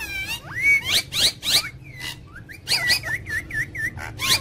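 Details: ['Talking ring-necked parakeet, funny and angry, utters a rising glide, then scratchy bursts and a string of five repeated wavy chirps, each about a third of a second apart.']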